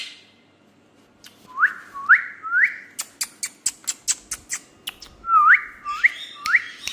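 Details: A pet Indian parrot whistles three short upward-sliding notes, then a string of sharp, regular clicks roughly twice a second, and ends with three more rising whistled notes.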